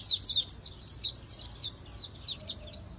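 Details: Oriental white-eye in a super-fast 'líu' competition song for voice training, magpie-robin-style voice: a continuous run of shrill, high, sliding chirps tumbling one after another with barely a pause.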